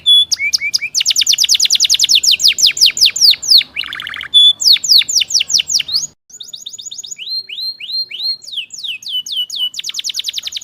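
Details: Atlantic canary song used to coax a stalled, lazy canary into singing: long runs of rapid repeated sharp notes, rolling trills and rising slurred whistles, a brief pause midway, then more fast trilling.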